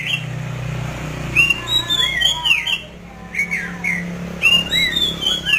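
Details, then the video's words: Masked laughingthrush in full song: loud swooping whistled phrases with downward-bending notes, separated by short pauses, over a low background hum. "Burung Poksay Mandarin ( Gacor )"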